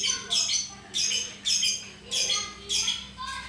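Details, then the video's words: Caged lovebird uttering repeated harsh, high squawks, about six rasping bursts in under four seconds at a fairly even pace, with a faint hum behind. "Bagaimana cara agar Love Bird mau Ngekek"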